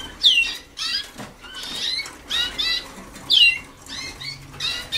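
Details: Waterslager canary students early in their 2010 song schooling: loud bursts of swept, descending notes alternating with softer warbles, repeated about twice per second.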